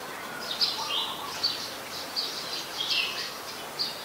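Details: Ashy woodswallow, a very common resident, recorded at Ubon Ratchathani, Thailand, on 14 December 2019: short harsh high notes repeated roughly every three quarters of a second, with a faint lower chatter early on and steady background hiss.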